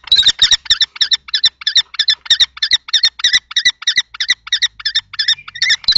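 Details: Two common kestrels, a young male in juvenile plumage and an older adult male, fight over a nest box at Théding, France, on 20 March 2024; rapid harsh kee-kee notes repeat about three times per second without pause.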